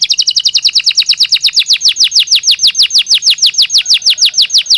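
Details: Belgian canary in natural song, for daily stimulation and training: an even, continuous roll of quick downward-slurred whistles, repeated about five to six per second throughout.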